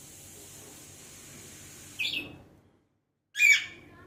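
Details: A pet Alexandrine parakeet gives two short, harsh, high squawks over a steady background hiss, the second louder and more ragged, separated by a brief silence.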